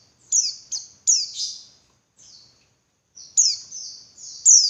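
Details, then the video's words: Female white-eye calling to provoke males into singing harder: sharp, very high chirps sliding downward, given singly and in quick pairs with short silent gaps, no other sounds. "Suara Burung Pleci Betina Buat Pancingan Pleci Jantan Biar Ngalas Lebih Ngotot"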